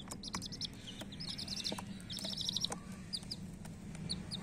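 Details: Coloured hen chicks giving short, rapid runs of shrill peeps, separated by brief pauses, over a constant low motor hum.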